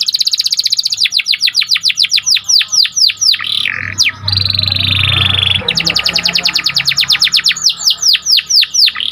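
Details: Singing Panda canary, played to stir up other canaries: fast repeated trills of downward-swept notes, a rasping sustained phrase in the middle over a low hum, then more quick trilled series.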